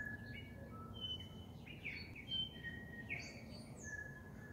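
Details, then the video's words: At sunset, a bellbird sings clear, ringing bell-like whistles, some notes pure and steady, others sliding upward, overlapping in a loose chorus over a low rumble. "bell bird sunset song"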